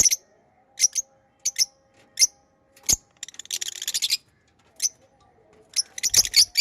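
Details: Pet lovebirds chirping: scattered sharp high notes spaced about half a second apart, a brief burst of fast chatter midway, then clustered shrill chirps at the end over a low steady hum.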